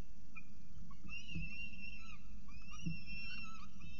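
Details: Peregrine falcons at an Orange, New South Wales nest, 24 October 2022, with prey brought in and young being fed; thin whistled calls, some sliding upward, come in short bursts above a constant low rumble.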